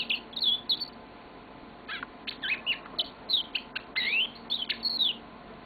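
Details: Long song from a yellow-fronted canary kept as a pet: rapid bright chirps and looping whistled phrases that rise and fall, after a brief lull, with a soft indoor hum.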